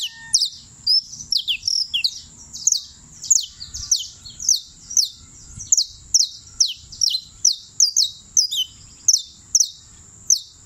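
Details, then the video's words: Long steady performance by a champion creole canary from Turbo, Antioquia: bright, high falling whistles and chirps repeated at a brisk, regular beat, about two per second, throughout. "(El CAMPEÓN) canario criollo la lucila"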